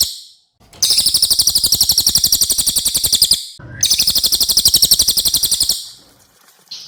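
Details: Javan white-eye and mugimaki flycatcher song mixed as a tutor for songbirds: two long, fast, steady buzzing trills, each roughly two to three seconds, separated by a short pause.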